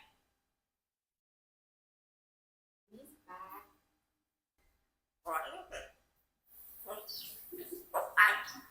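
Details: A 4-year-old Congo African grey parrot speaks in short human-like phrases ("Nah, no, me clean"), a few clipped words separated by pauses, with some higher whistled squawks near the end.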